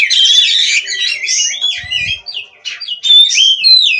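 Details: Oriental magpie-robin (kacer), a captive bird from an Indonesian breeder, opening with a harsh buzzy burst, then sweeping whistled slurs and quick twittering notes in a fast, varied song; a soft low knock is heard midway.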